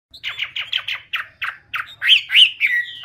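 Chinese hwamei singing a quick run of about nine repeated slurred notes, then two or three louder, richer whistles that swoop up and down.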